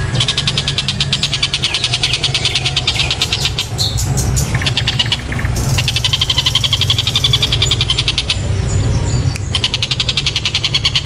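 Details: Kingfisher called tengkek buto, noted for a very loud, sharp voice, recorded as master audio for provoking other birds. Stuttering high rattles in several bursts, with a break mid-clip, over heavy low-frequency rumble.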